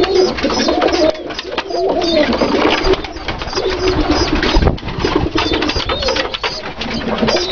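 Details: A group of Dalıcı pigeons cooing: soft, throaty, bubbling phrases repeated and overlapping, set against constant scratchy background noise and brief higher squeaks.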